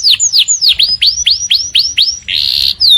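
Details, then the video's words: Morning canary song made of repeated downward-sweeping whistles about four per second, ending in a harsh buzzy burst and a final thin whistle. "Kenari Gacor Panjang | Canaries Singing beautifully in the Morning"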